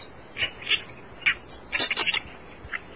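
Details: Reed warbler singing: short harsh, grating notes in uneven bursts, a dense chattering cluster near the middle, then a single rasping note at the end.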